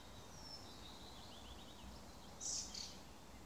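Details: Thrush nightingale singing at 3 a.m.: a thin high whistle, a quick rippling trill, then a loud sharp burst of high notes over a steady low rumble.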